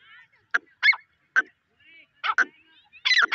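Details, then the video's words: Grey francolin (white teetar) giving scattered loud, harsh, clipped notes with short gaps between them, plus a few faint thin whistled bits in the background; no other clear sounds. "White teetar awaz | Teetar Sound | Teetar ki awaz|gray francolin voice"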